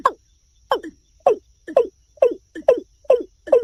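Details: Watercock, named locally as kora, calling with eight low, hollow notes that each drop in pitch. The notes come about every half second, spaced evenly after one lone opening note, against a quiet background.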